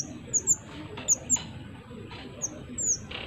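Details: Pied triller singing actively, used to lure wild birds: high, thin whistled notes that slur downward, given in close pairs, three pairs within a few seconds over a faint, steady background hiss.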